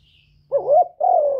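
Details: Spotted dove (cu gáy, cu đất, cu cườm), a kept decoy bird, cooing to stimulate other captive doves to sing: a wavering low coo followed after a short pause by a longer, steady, slightly falling coo.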